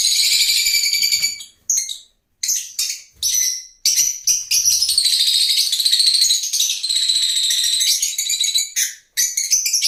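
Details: Lovebird chatter: a near-continuous stream of high, scratchy twittering with sharp squeaks, broken by two short pauses.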